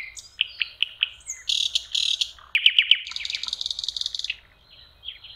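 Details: A common nightingale sings by a lakeshore in spring, May: slow repeated whistled notes, then a harsh buzzy section, sharp clicks and a fast rattling trill, all high and loud.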